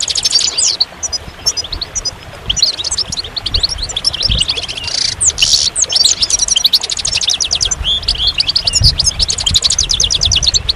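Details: Goldfinch singing a fast, jangling run of high tinkling notes, with buzzy bursts around the midpoint and closely packed repeated chirps toward the end.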